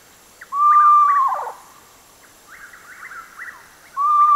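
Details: Screech owls calling: a clear, steady whistled note that wavers and drops away at its end, soft overlapping whinnying notes from another bird, then the long whistle starting again.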